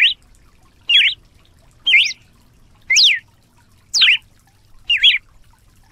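Red-cowled cardinal singing short, clear whistled notes that swoop up and down, about one per second, over a faint low background hum.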